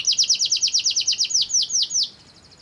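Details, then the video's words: Canary singing to draw other canaries into song: a quick series of repeated falling whistled notes that gradually slows and spaces out before ending. "pancingan kenari"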